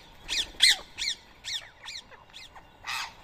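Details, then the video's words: At 7 AM on 31 March 2024 in Coimbatore, India, a Rose-ringed parakeet at a rice feeding gives loud, grating screeches, spaced about every half second, closing with one broader, rasping squawk. "Indian Ring Neck Parrot Food Feeding"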